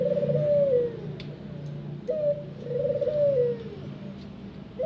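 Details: A ringneck dove in an aviary gives soft, rolling coos, each a low purring note that rises slightly then falls away, repeated about every two to three seconds.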